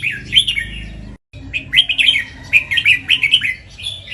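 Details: Red-whiskered bulbul, a competition bird that sings in the doubled 'เบิ้ล' style at home and on the contest rail. Rich, liquid whistled phrases rise and fall in quick bursts, with a brief silent gap near the start and a faint low hum beneath.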